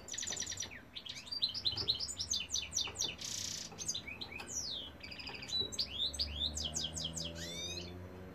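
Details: Cock European goldfinch in full song: rapid tinkling twitters, sweeping downslurred whistles and a harsh buzzy burst near the middle, notes tumbling in quick irregular runs with a soft low hum behind.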